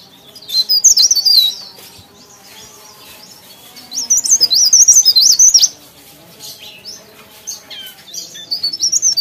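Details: Leaf warbler, labelled pare pare, singing actively: three bursts of high, thin, rapid twittering warbles at about 1, 4.5 and 9 seconds, with quiet pauses between them. A faint low hum sits underneath.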